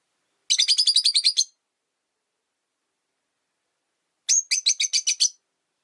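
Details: Rosy-faced lovebirds, three caged together by a window, the original bird disliking a newcomer: two bursts of about nine rapid high, sharp chirps each, roughly a second long, separated by three seconds of silence.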